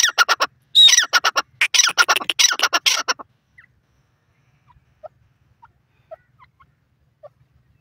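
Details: Grey francolin (teetar) calling: a burst of harsh repeated notes with one high whistled note, lasting about three seconds, then near silence with only faint scattered ticks.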